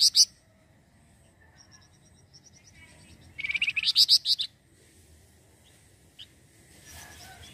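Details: Flamboyan bird used to lure other birds: a loud sharp opening note, faint soft pips, then a one-second volley of fast, high chattering notes, followed by near quiet with a single click.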